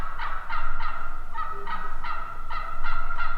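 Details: A wild turkey gives a steady series of about nine evenly spaced yelps, roughly three per second, each note harmonic and slightly falling, against a low background rumble.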